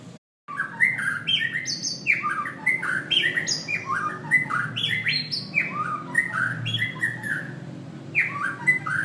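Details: White-rumped shama delivering a long, varied song of loud, sharply rising and falling whistled phrases and chattering notes, one after another without pause, in a small room.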